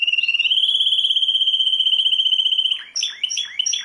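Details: Canary, a world champion, holding a long, finely pulsed high trill for nearly three seconds before breaking into rapid swooping, looping notes.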